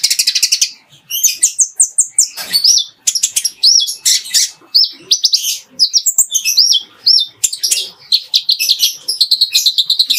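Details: Ruby-cheeked sunbird singing a clear training song filled with fighting-sparrow phrases, used to tutor other birds: rapid high chirps and thin upslurred whistles, repeated in quick bursts with brief pauses.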